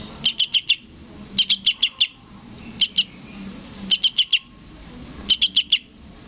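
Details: Fledgling sooty-headed bulbul calling its parent: five evenly spaced groups of three or four rapid, thin, high-pitched chirps, roughly every 1.2 seconds, against quiet background murmur.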